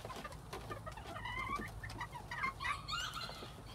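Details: Quails in spring 2021 give a few faint, hoarse harmonic calls that bend up and down, clustered in the second half, over a steady low rumble of background noise and scattered clicks.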